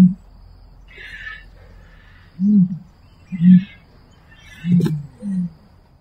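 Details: Series of four or five low, hollow grunts from a common ostrich, roughly a second apart, while other birds chatter at a higher pitch.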